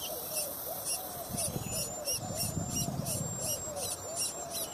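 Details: Late-hatched little pied flycatcher chick, often missing its share of food, begging with quick high pulsed notes about three per second, alongside lower wavering chirps and soft rustling.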